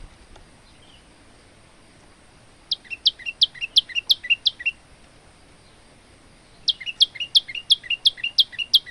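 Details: Two bursts of rapid, piercing paired notes from a male olive-backed tailorbird, about three per second, each burst lasting around two seconds with a pause between, recorded as a master song to train other birds; faint steady hiss.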